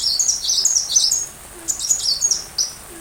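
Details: Sunbird singing, recorded as tutor material for a white-rumped shama: a fast run of high, sharp descending chirps followed by a brief pause and another shorter burst of thin notes.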